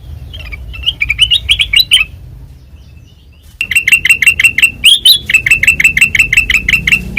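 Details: Ngeplong song of a white-eyed black-crested bulbul in full, constant voice: a brief chirpy burst, a quiet gap of about a second and a half, then a fast steady series of clear, ringing repeated notes.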